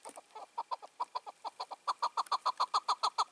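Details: Wild chukar partridge, five to six years old, roaming free two years after being caught and released, calling on an evening of 4 June 2023: a quick run of clipped notes, about three per second, growing louder and steadier.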